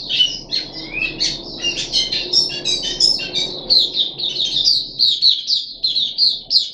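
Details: Captive puff-backed bulbul on 14 July 2021, third deworming day: a dense, varied jumble of whistled and chirped notes at first, settling into evenly spaced high chirps, with low room hum in the first half.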